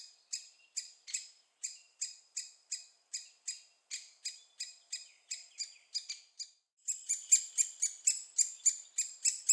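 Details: At Staverden in the Netherlands, young great spotted woodpeckers being fed repeat evenly spaced high squeaky chips about twice a second, then burst into a louder, faster, denser chatter near the end.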